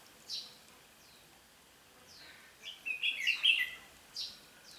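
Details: Decoy red-whiskered bulbul singing to draw wild birds toward a trap on 8 June 2016: a few soft sweeping notes, then a quick burst of rich chattering warbles near the middle, followed by one more swept note.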